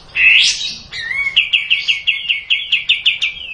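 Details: Kapas tembak bulbul opens with a loud upswept note, adds a soft whistle, then settles into a quick run of evenly spaced bright chips.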